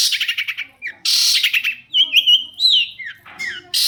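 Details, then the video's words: A long-tailed shrike sings to make other shrikes reply. Rapid buzzy stuttering gives way to a broad harsh screech, followed by a fluid run of warbled whistles and downslurred notes. "cendet gacor pancingan burung cendet agar cendet bunyi INI AMPUH BIKIN burung cendet lain NYAUT"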